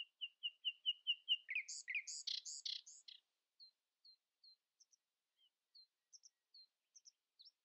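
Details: Common nightingale in early-morning song, asserting itself over rival singers. It starts with quick repeated chips and swells into loud, harsh buzzy chords, then trails off into scattered high, thin notes and short whistles.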